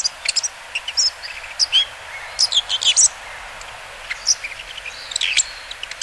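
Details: Bull-headed shrike heard along the Muko River floodplain, Japan, on 14 September 2015: scattered sharp, high chirps and short squeaky notes at irregular intervals, with a steady hiss of background noise.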